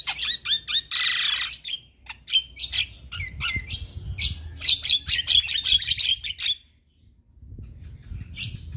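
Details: Male Javan myna, a very vocal caged bird kept as a tutor to train other mynas, gives a fast varied song of harsh squawks, clicks and whistled notes, with a rapid run of repeated chirps near the end, then a pause.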